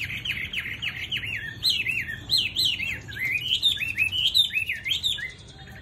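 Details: Tamed Chinese hwamei with a sweet, gentle voice sings a rich, continuous warble. Loud, looping, rising-and-falling whistled phrases tumble quickly one after another with barely a pause.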